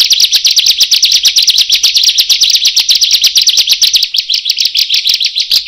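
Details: Bar-winged prinia giving a vigorous song used for luring birds: rapid series of sharp, high, scratchy chips at roughly seven per second, slowing and turning slightly thinner near the end.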